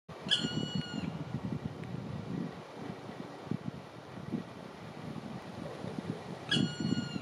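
Two drawn-out, plaintive mewing notes from a Black woodpecker, about six seconds apart, each slightly falling in pitch, over a steady low rumble of wind or distant traffic.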